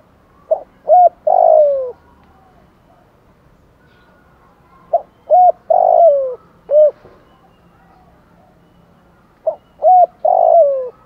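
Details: Spotted dove decoy calls used to lure other doves: three cooing phrases about four seconds apart, each a few short low hooted notes ending in a longer, falling, drawn-out coo, over a quiet background.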